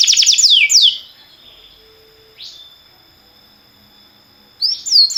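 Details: Timbrado canary used for training canaries: quick falling sweeps, a long quiet pause with faint thin tones, then a burst of chirps.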